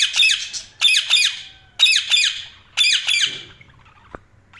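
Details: Budgies giving harsh, repeated chirps in paired bursts about once a second, each note a quick buzzy downward sweep, fading into quiet with a low hum at the end.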